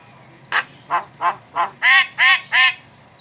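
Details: Javan myna giving a series of seven harsh, nasal, evenly spaced notes, the last three louder and fuller, with low background hum.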